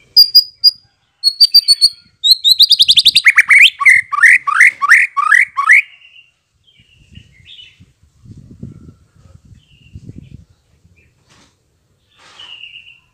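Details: White-rumped shama song used as a lure to make birds answer and sing openly: high thin whistles, then a fast run of loud downward-sweeping notes for about three seconds, fading into quiet scratchy sounds and low rumbles.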